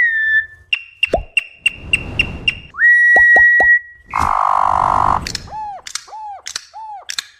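Campo troupial: an irregular string of clear held whistles, sharp clicking notes, a harsh buzzy burst and short downward-slurred fluty notes, all loud and close.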